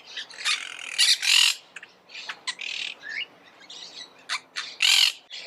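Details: Monk parakeets, the Argentine parakeet of South America, give harsh broadband squawks in bursts, loud screeches near one and five seconds among shorter rasping notes.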